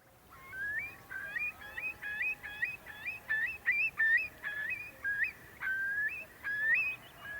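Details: Eurasian curlew call, played back during a talk on the species' status: a run of clear whistled notes that rise sharply at the end, repeated in quick succession with some overlapping, fainter whistles behind.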